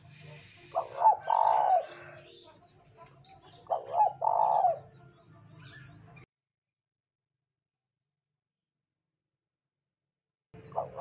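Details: Spotted dove song played as a lure to get other doves singing: two low, mellow cooing phrases a few seconds apart, each a short rolling burst. A long silent gap follows before cooing resumes, over a faint low hum and thin high chirps.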